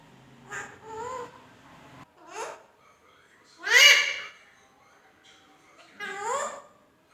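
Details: Indian ringneck parakeet, a pet talking parrot, producing a few separate harmonic, speech-like phrases with rising and falling contours, spaced by pauses of one to two seconds in a quiet room.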